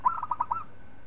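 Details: Local zebra dove song, recorded as a master song for training other birds: a quick run of five or six soft cooing notes at a steady mid pitch, with the last note slightly stretched and upslurred.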